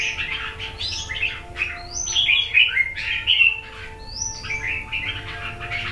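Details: Wild-caught red-eyebrowed red-whiskered bulbul from A Lưới, Huế, Vietnam, described as two seasons old, sings bright, liquid, chattering phrases that rise and fall in quick succession, with a faint steady hum underneath.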